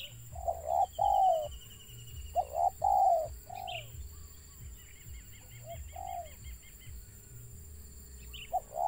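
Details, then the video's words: Wild spotted dove giving a stuttering call: mellow, mid-pitched coos in short broken groups with uneven pauses, each note slurring slightly downward, over a steady low hum and faint high chirps. "BURUNG TEKUKUR LIAR ADA GAGAP NYA"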